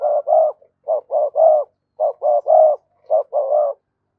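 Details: Spotted dove cooing briskly for its mate, four even phrases of three or four low hoarse coos each, the last note of each phrase longest, repeated about every second.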